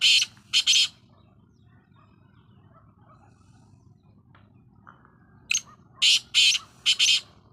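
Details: Black francolin call in two harsh phrases, a short group of loud, scratchy notes at the start and a longer four-note phrase near the end.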